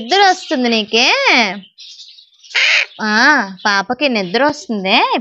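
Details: Pet macaw talking: loud, strongly harmonic, speech-like syllables in rapid bursts, with rising and falling tones. A short rasping noisy squawk and a brief pause fall near the middle.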